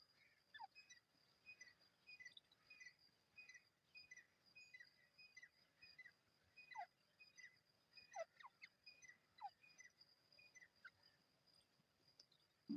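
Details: Partridge call used to attract partridges when hunting: a steady series of short, clipped two-part chirps repeated roughly every half second over a faint hiss, with a few sharper downward-sliding notes and a brief thump at the end.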